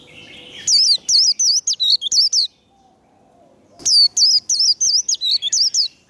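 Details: Warbling white-eye in 'líu' fighting song for training: two bursts, each of about eight rapid, sharp, wavy high whistles, separated by a quiet pause of over a second.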